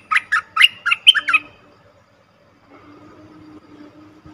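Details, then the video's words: Lure call of cream-vented bulbul for trapping, recorded 2 November 2021: a fast burst of about six sharp chirps, then quiet low humming and background noise. "Suara pikat merbah lekir"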